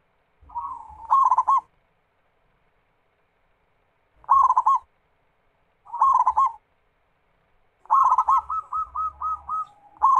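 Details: Perkutut, a local zebra dove, in a lure song to get other doves cooing: several rolling coo phrases, the first opening with a low drawn note, the last a long run of evenly repeated hooted notes.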